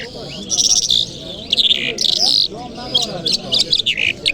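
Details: Kabul lark singing on a Friday morning in short, high chattering phrases with buzzy and whistled notes, spaced by pauses, over a continuous soft low murmur.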